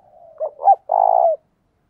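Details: Single loud coo phrase from a decoy spotted dove used to provoke other doves: a soft lead-in, two short abrupt notes, then a long level low-pitched coo.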